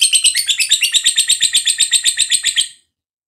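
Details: Lovebird 'ngekek panjang' lure chatter meant to rouse other lovebirds: a quick, piercing series of scratchy notes repeated steadily for nearly three seconds, then cut off into silence.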